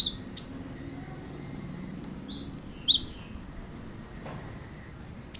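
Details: Sharp, high cinereous tit notes used to draw a caged bird into song, scattered singly and in a brief twittering cluster, with faint low background hum.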